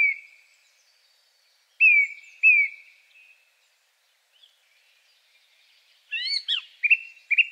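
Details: Song Thrush, the second of three males, with a very simple song containing a few unusual sounds: a fading note, two loud whistled notes repeated after a pause, silence, then a cluster of sharp, varied notes and repeated short whistles.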